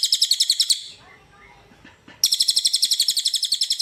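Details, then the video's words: Two bursts of machine-gun-like high trilling from a cililin, recorded to train other birds, separated by a moment of quiet background noise. Each burst is a rapid, steady string of sharp chips. "SUARA BURUNG CILILIN untuk masteran || FULL DURASI & TEMBAKAN RAPAT"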